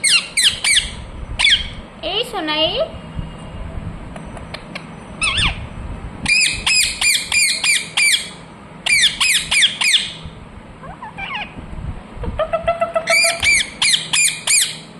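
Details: Rose-ringed parakeet calling in bursts of fast, grating screeches, several volleys of four to six calls separated by short pauses, with a few softer wavering notes between them.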